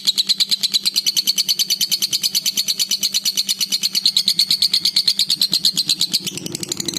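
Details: Lovebird of the Violet Fighter (Vio Fighter) type singing in full voice, a rapid rhythmic chatter repeated about three times a second, high and steady throughout, with a low hum underneath.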